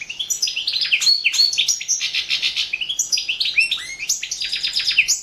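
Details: Competition song of a Balkan goldfinch, Carduelis carduelis balcanica, entered in the 2017 internet world championship: lively run of twittered notes, trills and high sweeping whistles, steady and unbroken.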